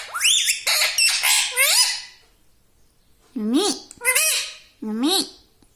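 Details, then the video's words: Talking pet parrot indoors: a dense burst of harsh, squawky mimicked syllables, then a pause and three separate hoarse, speech-like calls with wavering pitch. "Talking parrot || mitthu mitthu || tota || Bolne wala tota"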